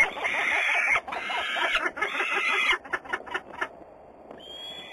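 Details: Peregrine falcon at Włocławec, Poland, 6 June 2010, afternoon: grating calls, then a run of short, clipped notes that fade, followed by a thin rising tone.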